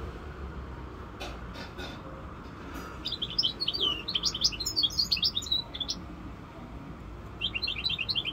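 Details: Hybrid goldfinch mule, five months old, stays quiet with a few faint clicks, then bursts into a quick run of high twittering notes, pauses, and resumes a short trill near the end.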